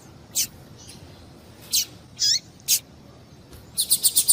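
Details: Female double-collared seedeater giving calls used to excite males and spur them to sing. Isolated high, thin chirps separated by pauses, ending in a fast run of five bright notes.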